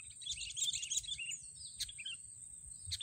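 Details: Sooty-headed bulbul at a trapping site using snare sticks, giving a quick jumble of chirps followed by a few separate slurred notes, against a continuous high-pitched hum.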